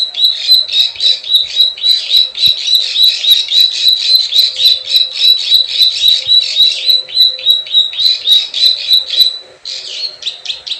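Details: Plain prinia klik klik ciwah call, a lure for wild birds: a long run of rapid, even, high buzzy notes with thin ticks above, continuing for about nine seconds before a short pause and a louder, rougher burst.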